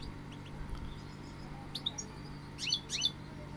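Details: Goldfinch giving a few scattered high chirps, then a brief run of bright, sliding twittered notes near the end, over a constant low hum.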